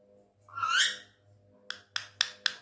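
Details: Tame male Indian ringneck parrot, described as angry, indoors: one loud rising-then-falling harsh squawk, followed by four short sharp clicking pulses.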